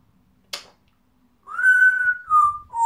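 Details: Female pet African grey parrot indoors: after a single sharp click, a clear whistle that rises, holds a level tone, then steps down in two lower, falling notes.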